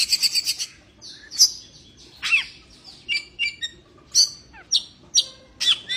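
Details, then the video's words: Song of an Oriental magpie-robin in breeding condition: scratchy, sweeping notes and bright high chirps delivered irregularly, some phrases dropping sharply in pitch, in a quiet setting. "kacer birahi"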